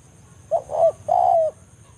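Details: Spotted dove in the forest giving a banggo-style lure call to draw a rival: two short hoarse coos followed by one long, slightly falling drawn-out coo, low-pitched, over a faint steady background hum.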